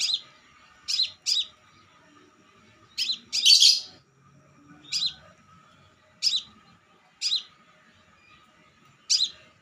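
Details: Crimson sunbird singing, used to lure other birds: spaced short high chirps, often paired, roughly every second or two, one longer buzzy burst early on, faint hum underneath.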